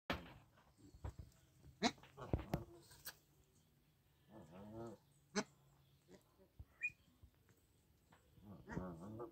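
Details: Bar-headed geese (Anser indicus) on a farm give short nasal honks, a few at a time with pauses between, among scattered knocks and clatter.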